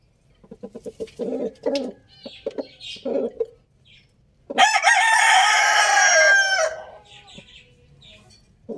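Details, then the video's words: Rooster crowing loudly: a long, harsh, rasping crow of about two seconds follows a run of short low clucks repeated in quick bursts. "Beautiful Rooster Crowing Sound Effects | Adorable Rooster Crowing Loudly"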